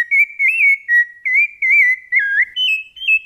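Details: Rufous-bellied thrush in Brumado fluted song: quick warbled whistles that wobble in pitch, dipping lower midway, then closing on a few higher, brighter notes.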